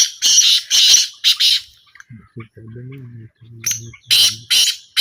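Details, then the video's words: Black francolin giving loud, harsh, grating bursts in quick series, with a man's low voice speaking briefly between the calls. "A Small Trial Of Black Francolin"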